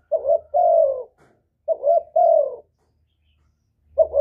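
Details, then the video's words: Spotted dove lure coo that sets other doves cooing back. Two clear phrases, each a brief husky note and then a drawn-out, gently falling coo, are spaced by a long pause, and a third phrase begins at the end. "Chim Cu Gáy Kích Nổi Cực Phê, Nghe là gáy theo liền"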